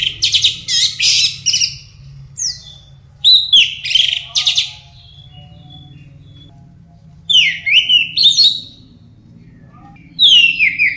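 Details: Orange-headed thrush song used as a lure to prompt other birds to sing loudly: clear whistled phrases sweeping downward, mixed with rapid buzzy rattling notes, delivered in short bursts separated by pauses, with a faint low hum beneath.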